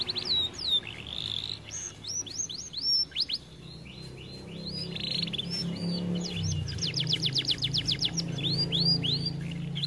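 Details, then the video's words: Aviary canary, said to sing little because it is too fat, delivers quick upward-slurred whistles followed by a rapid series of sharp repeated trill notes, over a constant low engine-like hum that grows louder. "Kenari malas bunyi akibat TERLALU GEMUK"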